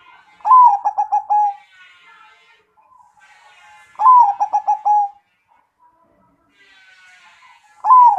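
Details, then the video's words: Zebra dove, perkutut, cooing in a steady loud voice: a rising opening note then a quick run of four to five clipped, stuttering coos, the phrase repeated about every three and a half seconds. "CR0CCING SUARA GEDE"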